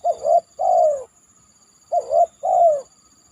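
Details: Spotted dove (tekukur) calling after heavy rain from a banana trunk: two matching phrases, each a short rising coo followed by a long, loud, downward-sliding coo, about two seconds apart.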